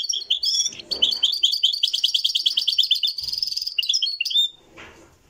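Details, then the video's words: European goldfinch song, described as Moroccan and recorded live, in a revival of a traditional singing style: a dense, fast run of high tinkling, buzzy twitters for over four seconds before fading into soft noise. "تغريد الحسون المراكشي"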